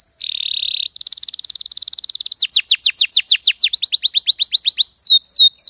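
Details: Canary singing as a tutor: an even buzzy trill, a rapid series of sharply falling whistled notes, and a few high downslurs at the end.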